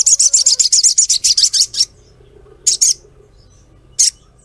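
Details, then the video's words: Female ruby-throated myzornis calling to a male. A fast, chattering run of about fifteen rapid, high, sharp notes is followed by two separate single chirps. "SOGOKONTONG Cret cret ngleper Pancing sogon cepat bunyi"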